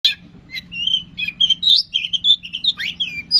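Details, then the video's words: Long-tailed shrike in lively full song, used as a lure to provoke other shrikes into singing: varied sweet whistled notes and short warbles, rising and falling phrases with a few harsh downward slurs, steady low hum beneath. "bisa dicoba buat pancingan | cendet kicau istimewa | cendet gacor"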